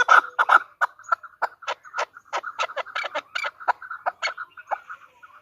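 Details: Female chukar partridge calling: a rapid string of short clucking notes near mid pitch, strongest and loudest at the start, then softer, uneven chuck notes over about five seconds.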